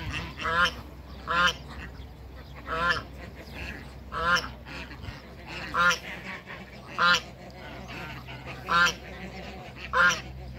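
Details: Backyard male Toulouse goose confronting two Muscovy ducks: loud nasal honks repeated about every one and a half seconds, with quieter background noise between them.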